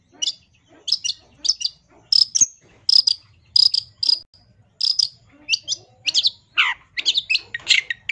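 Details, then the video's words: Long-tailed shrike song, a master recording for training songbirds: a steady run of short, high chirped notes in quick bursts, ending in a denser stretch of varied, tumbling phrases. "MASTERAN CENDET GACOR FULL ISIAN"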